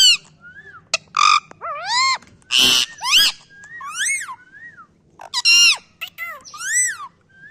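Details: Pet parrot imitating a barking dog: harsh, explosive bark-like bursts mixed with arching whistled calls and squawks, delivered in short separate notes with brief pauses between them.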